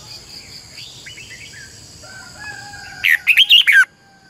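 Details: Red-whiskered bulbul decoy singing to train other birds: faint sliding whistles from other birds first, then a loud, fast phrase of five rich warbled notes lasting under a second.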